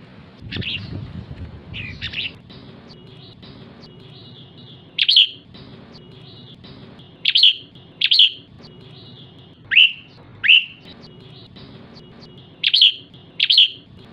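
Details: Female red-whiskered bulbul calling to stir up males, giving scattered single or paired sharp, high, slurred chirps every few seconds over a quiet, low background hum.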